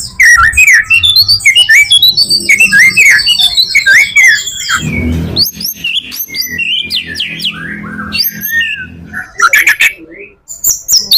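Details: White-rumped shama singing a full-repertoire song offered as a lure for other shamas: a dense rush of varied whistles, sweeps and chirps, with a low rumbling hum underneath in the middle stretch.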